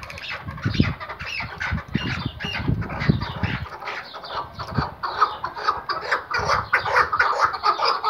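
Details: Tethered Iraqi white hunting chukar partridge giving rapid, harsh, clucking squawks about twice per second. Dull low thuds, perhaps wing or handling noise, come early on, and the calling stays busy and irregular throughout.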